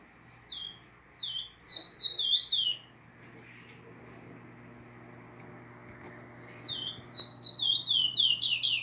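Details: Chestnut-bellied seed finch singing a northeastern-style (nordestino) song: two phrases of clear, sweet whistled notes sliding downward, each phrase a quick run of five to seven notes, separated by a quiet pause with a faint background hum.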